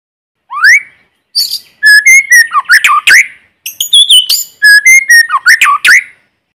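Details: White-rumped shama in forest, a lure bird singing to stimulate newly caught birds: an upslurred whistle opens two dense phrases of fluted notes, high chips and rasping slurs, with no background noise.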